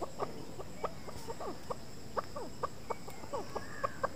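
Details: Chukar (Alectoris chukar) giving loud, clucking calls: sharp, ringing chuk notes repeated in an uneven series, some paired or clustered, continuing for about four seconds above a constant low hum.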